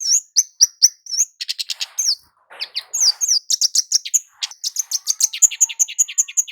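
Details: Energetic Javan kemade (flowerpecker) lure call for males and females: a few evenly spaced sharp chirps, then dense rapid high ticks and trills running together toward the end.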